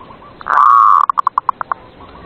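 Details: Zebra dove (perkutut) singing at night, used to prompt reluctant doves to sing: one drawn-out hollow note, then about seven short, clipped coos that fade away.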